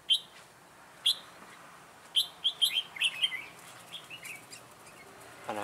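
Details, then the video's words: Red-whiskered bulbul used as a trap decoy to lure wild birds, recorded June 2017; sharp clipped notes about once a second, then a quick run of rolling warbled phrases, ending with a low rustle. "Bẫy chào mào Mũ lân Ché nẹt mồi"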